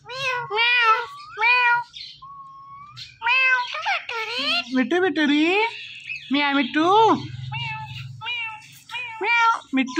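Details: Talking Indian ringneck parrot repeating meow-like calls many times, mixed with speech-like chatter and a brief whistle, over a low hum.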